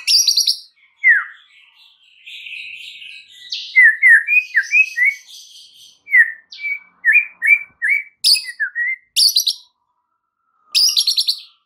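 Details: Provoking lure song of the white-rumped shama: a varied medley of high chips, slurred whistles and quick downward notes in uneven bursts, with pauses and loud high flourishes near the end.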